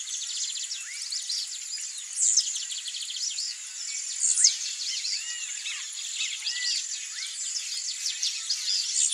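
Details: A wild Blue-black grassquit in breeding season sings short, sharp, high buzzy notes every couple of seconds over a steady insect hum and chirps from other birds.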